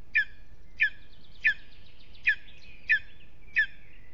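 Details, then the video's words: Lesser spotted eagle calling from its nest in an aspen at Aizkuja, Latvia, during a restless evening: six loud, ringing yelps with a doubled, slightly falling tone, evenly paced about 0.7 seconds apart, with thin trailing whistles between some of them. "A restless evening in the nest LVM Mazais ērglis Aizkuja, apse 2 - Lesser Spotted Eagle"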